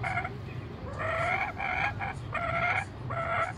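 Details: Kookaburra in Brisbane, Australia, calling close by while being spoken to; harsh, harmonically rich chuckling bursts come in about five short phrases, each under half a second, over a faint low hum.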